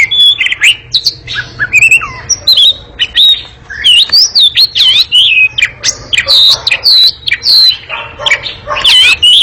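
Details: Noisy, nimble ngekek song of an Oriental magpie-robin, made of sweeping whistled notes, sharp chips and rasping chatter in quick bursts that run on throughout.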